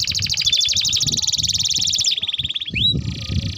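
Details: Canary delivering a long rolling song intended as a lure and tutoring material for young canaries: a steady, very rapid trill held for two seconds, shifting to a lower roll, then a rising whistle and buzzy continuation.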